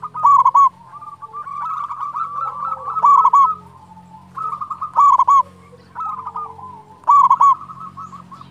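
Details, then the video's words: Singing local zebra dove, praised for a loud, big voice and used as a lure and tutor for quiet doves: bursts of loud, throaty coos, each followed by long trains of soft, bubbling notes, repeated about every two seconds, with low hum. "perkutut lokal gacor SUARA BESAR"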